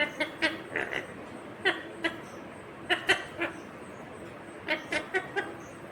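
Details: Rose-ringed parakeet, a green ringneck parrot, talking and saying "mummy papa": short, speech-like syllables in clusters of two or three, separated by brief pauses, about a dozen bursts in all, over a soft background hiss.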